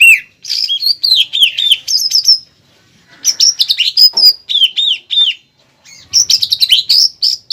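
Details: Greater green leafbird singing a tutor song embellished with pelatuk bawang phrases, the melody contest judges look for; clear sliding whistles in short bursts separated by gaps of about a second.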